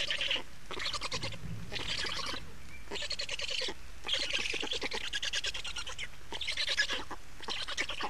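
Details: Changeover and feeding at a black stork nest in Estonia, afternoon of 28 May 2019: about six separate bursts of raspy, pulsed calling, each roughly a second long, with brief breaks.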